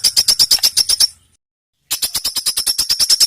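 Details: Bird song used as tutoring material for competition birds, dense rapid fill. Quick, evenly repeated high chips, about six per second, stop briefly and then resume at the same pace.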